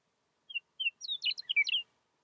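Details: Meadowlark singing in Yellowstone in spring 2020, with snow still falling as songbirds return: two short clear whistled notes, then a quick, rich, tumbling jumble of flute-like notes lasting about a second, against a silent background.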